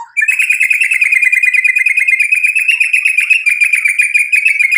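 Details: Energetic White-rumped shama song meant as a lure to provoke rival birds: a fast, steady rattling trill of crisp repeated notes running unbroken for over four seconds, clean and close with no other sounds.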